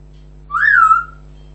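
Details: Pet African grey parrot indoors giving a single smooth whistle, rising briefly then gliding down and levelling off, lasting about half a second, with a steady low hum in the room.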